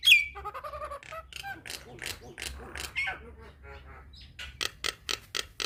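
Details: Nias hill myna song meant to train young birds: a sharp whistle, then a jumble of softer nasal notes and chatter, ending in several loud harsh clicks.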